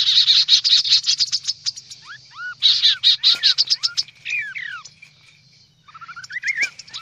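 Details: Lure sound of the kaso-kaso bird: intense high rattling chatter in two bursts, then sparse rising and falling whistled notes, a near-silent gap, and a final quicker rising whistle sequence.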